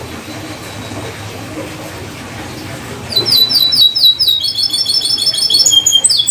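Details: Atlantic canary song used as a lure to restart a canary that has stopped singing: after a quiet start, fast, high, bright trills and rapid repeated chirps rolling on without pause.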